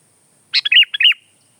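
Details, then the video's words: Lively sooty-headed bulbul singing: a brief burst of harsh chips, then two mellow rolling whistled notes in quick succession, rising and dipping. Close, clear recording with nothing else audible. "Kicau kutilang"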